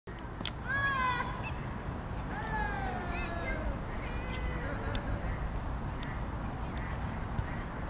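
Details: Great crested grebes in a territorial interaction, with an intruder in breeding plumage and a chase, giving harsh, drawn-out downward-sliding calls in a few bursts over the first five seconds, with steady low wind or water rumble.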